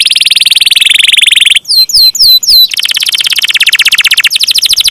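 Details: Canary 'ngeroll' song: a long buzzy high trill, then four quick descending whistled swoops, then another extended rapid pulsing roll.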